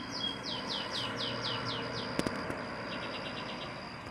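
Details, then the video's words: Mockingbirds singing in the morning on a balcony: a quick run of about eight high, downslurred whistled notes at an even pace, a sharp click, then a softer series of short repeated chirps. "More of the mockingbirds on my balconey."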